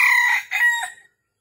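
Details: Red junglefowl at a Vietnamese trapping spot, morning of 13 December 2021, with a wild rooster arriving to fight. A brassy crow with a long opening note, then two quick fading syllables and silence.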